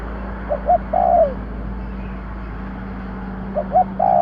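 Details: Spotted dove calling, recorded to lure birds: one full phrase of two short hoots and a falling coo, then after a long gap a second phrase cut off, beneath a steady hiss and electrical hum.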